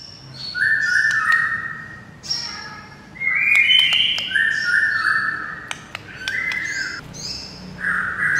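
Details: White-rumped shama song meant to draw a quick answer from another shama: long buzzy-edged whistles and higher squeaky notes over steady background hiss, with scattered sharp clicks.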